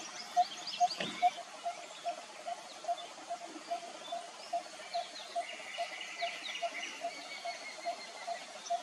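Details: Malabar barbet, Western Ghats, India: short hollow notes on one low pitch, repeated steadily about every half second, some louder than others, over faint background birds and a soft rustling hiss.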